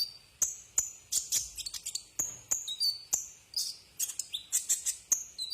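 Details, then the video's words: Brown-throated sunbird song, a tutor recording for cage birds: steady series of piercing high chips and short whistles, closely spaced, with thin twittering between them. "masteran burung Kolibri"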